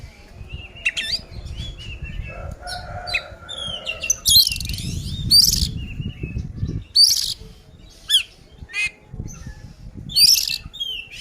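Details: Loud fighting song from an oriental magpie-robin, used as bait to anger rival males: varied whistles and harsh rasping bursts come in irregular phrases, over a soft low rumble during the first half.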